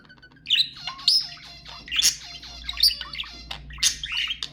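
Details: Budgerigar chatter used to encourage breeding: rapid scratchy warble with bright rising chirps and harsh squawks, several bursts per second, layered over a faint low hum.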